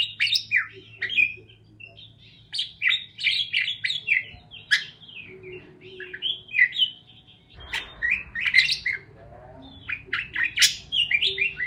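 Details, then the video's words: Parakeets chirp in rapid, busy bursts of high, warbling notes, with short pauses between flurries and a faint low hum underneath. "Parakeets Chirping Sounds"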